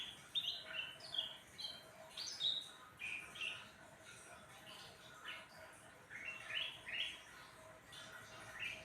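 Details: Caged grey-bellied bulbul (cucak ranting) singing vigorously after being fed crickets and sunbathed: bright, scattered whistled and chirping notes, some rising and falling quickly, repeated throughout over a soft background hiss and faint voices.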